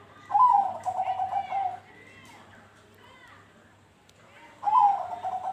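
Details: Zebra dove of the Bangkok type singing, played to prompt doves to join in: two rapid, rolling, bubbling coo phrases, the first about one and a half seconds, with faint thin chirps between them and a low hum.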